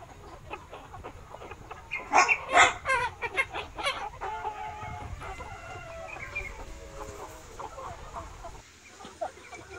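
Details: Free-range flock of Gà Nòi, bantam (Gà Tre) and crossbred chickens roaming a large garden yard by day, foraging for insects and greens; loud bursts of sharp clucks around the second and third seconds, then steady harmonic, drawn-out clucking calls.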